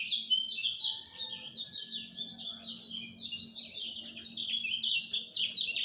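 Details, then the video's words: Lemon-bellied white-eye dawn song, a continuous, lively chatter of quick, high, down-slurred notes over a faint low background drone. "Kicau Joss Kecial Kuning Subuh"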